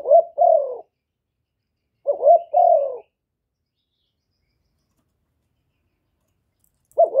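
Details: Provocation call of a spotted dove: two complete phrases about two seconds apart and the start of a third, each a short rising hoot then a longer falling coo, clean and quiet otherwise.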